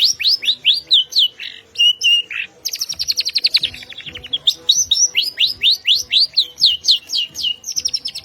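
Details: Long-tailed shrike (cendet) with a richly filled song: rapid runs of high, sweeping whistled notes and downward slurs, about four per second. Short buzzy trills break in, then a long stretch of quick repeated strokes, almost without pause.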